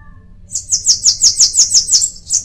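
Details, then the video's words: Bananaquit song made of around ten sharp, very high, hissing notes delivered evenly and rapidly, each with a slight downward slur, against a calm backdrop. "Cambacica| Sibite|tietê|mariquita|chupa-mel|til |sebinho |caga-sebo|chupa-caju| guriatã canto"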